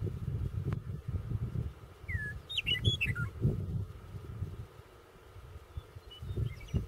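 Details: Western Meadowlark singing along a roadside south of Burlington, Cheyenne County, Colorado, on 25 February 2016. A single fluted phrase of clear whistles tumbles and descends midway through, over a heavy low rumble of wind or passing traffic.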